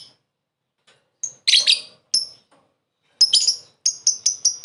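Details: Lovebird calling to lure a rival: scattered shrill chirps and a harsh screech, then a run of evenly spaced piercing high notes.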